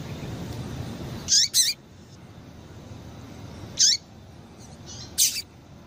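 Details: Female Double-collared Seedeater calling, used to stimulate males to sing, gives short, high chips that drop sharply in pitch, singly or in quick pairs every couple of seconds, over a soft background hiss.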